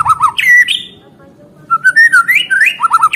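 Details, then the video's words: Strong white-rumped shama song used as therapy for caged birds that no longer sing: a quick looping phrase and a downslurred whistle, a short pause, then rising fluted notes and rapid trills. "Suara Murai Batu Gacor Terapi Burung Macet"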